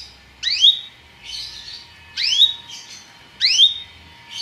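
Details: Belgian canary singing, a song to bring canaries into breeding condition: three repeated phrases, each a sharp rising upsweep followed by softer buzzy warbling, about one second apart.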